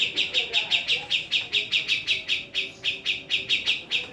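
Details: Female Javan cucak jenggot calling in a steady run of bright, clipped high chirps, roughly four per second, with one short gap midway; soft low background tones.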